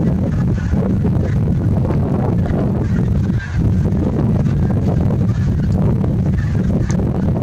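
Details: Geese in a large flock, 8 April 2021, producing a steady, unbroken wall of honking with constant low-pitched rumble and no pauses.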